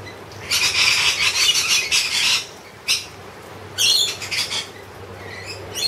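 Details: Wild lorikeets, a group fed honey by hand, let out a sustained two-second burst of raspy, metallic screeching, then a single short squawk and a further scratchy volley, with quieter chatter between.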